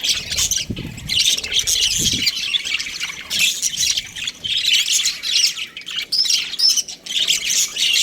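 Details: Chirping from a breeding pair of budgerigars, a busy stream of high, harsh twittering and squawky notes. Two brief low thumps sound early on.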